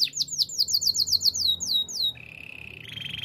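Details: Canary song for training, with a quick run of high, sharply falling whistled notes for two seconds, followed by a lower steady buzzy trill that rises slightly at the end.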